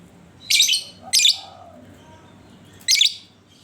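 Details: Lovebird ngekek song used as a lure for other lovebirds: two harsh screechy chatter bursts close together, a pause, then a third, over a low murmur.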